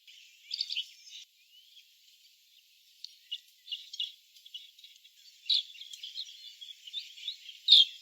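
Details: Asian green bee-eaters give high, trilled chirps in scattered bursts, soft repetitive calls used to keep contact within the group.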